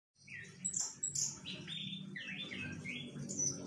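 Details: Orange-headed thrush (Geokichla citrina), song.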